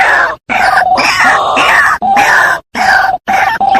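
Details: White-breasted waterhen calls used as a trapping lure. Three or four long, grating, croaking phrases are separated by short pauses, loud and close.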